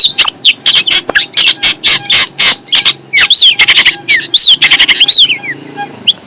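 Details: Fierce long-tailed shrike delivering rapid loud harsh buzzy notes in a steady stream, then clear swooping whistles that rise and fall.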